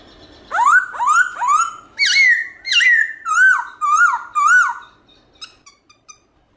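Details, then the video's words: Morning song of a black-throated laughingthrush in forest style: a run of about eight loud whistled notes, first rising then wavering down, roughly one every half second, trailing into faint short chips. "Khướu Bạc Má Hót Giọng Rừng ĐẢO GIỌNG Buổi Sáng Cực Hay"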